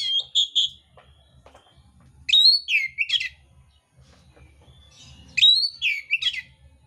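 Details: Oriental magpie-robin, mintal type, in fighting song with harsh filler: a few buzzy notes, then two energetic phrases of a rising whistle followed by scratchy tumbling notes, about three seconds apart.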